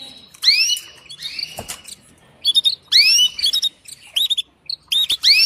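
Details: Female canary calling to a male for mating. High, sweeping calls curve down and then up, given in bursts about every two seconds, with short chirps between them and a single sharp click.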